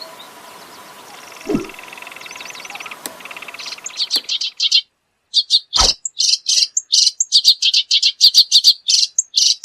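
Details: Reed warbler (kerak basi) song, preceded by a few seconds of soft background sounds and a brief low thump, then bursts of quick, scratchy, chattering notes in rapid series.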